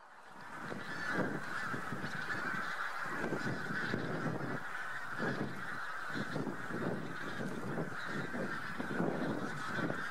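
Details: Huge flock of Bean Geese mixed with some White-fronted Geese on spring migration near Lubiń, Trzemeszno, Central Poland, early March 2018: a dense, unbroken chorus of nasal honks and cackles from many birds, over bursts of low rumbling noise.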